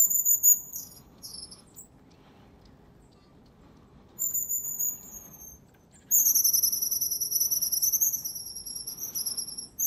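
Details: Long-tailed tits in the wild at the Zvenigorod Biological Station, Moscow Region, in January, giving thin, very high drawn-out notes, first brief and broken, then one long quavering call near the end.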